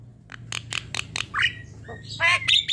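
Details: Javan myna song meant to coax other birds into singing, manggut linked with long ngerol: a string of dry rasping notes followed by squawky, wavering warbled phrases.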